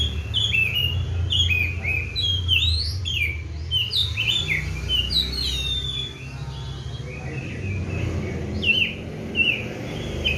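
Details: Kept Oriental magpie-robin, fed seven crickets and bathed morning and evening, singing in full 'gacor' style: rapid varied whistled phrases, sweeping slurred notes and sharp chirps in quick succession over a steady low hum.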